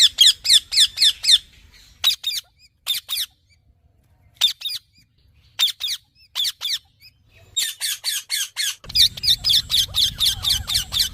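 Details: Harsh, shrill squawks from a green parrot, first in quick runs, then scattered pairs with gaps, ending in a fast, continuous series over a low background rumble.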